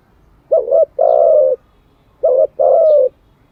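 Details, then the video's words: Two clear spotted dove phrases, recorded for daily training of decoy doves. Each is a short stuttered double note followed by a long, smooth, low coo, repeated after about one and a half seconds. "Tiếng chim cu gáy mới nhất, dùng luyện chim gáy bổi và mồi hàng ngày"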